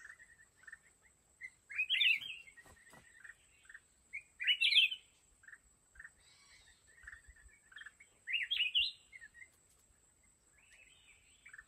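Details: Decoy red-whiskered bulbul in a fighting trap sings loud warbled bursts about every three seconds, between softer low chattering notes, with a few clicks and a faint steady high whine.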